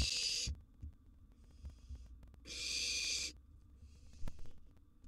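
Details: Wild barn owl nestling at mealtime, prey a sizeable gerbil: broad hissing screeches in loud and soft alternation, with low thumps and bumps of movement inside the box.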